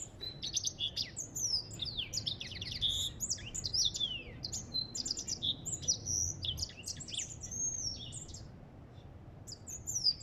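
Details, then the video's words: Extended twittering song of an African goldfinch: bright, rapid chirps, upslurred and downslurred whistles and rattling trills flowing continuously, with a low hum beneath. "اسمع صوت الحسون الافريقي"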